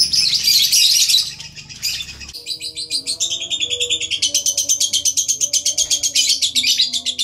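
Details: Lovebird lure in the ngekek style: a harsh noisy burst, a short pause, then a building run of rhythmic, rapid, high-pitched trilled pulses, faint low tones in the background.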